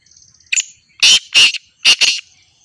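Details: Black francolin calls with a thin opening note and then four loud, harsh, grating notes in two close pairs, with no other sounds.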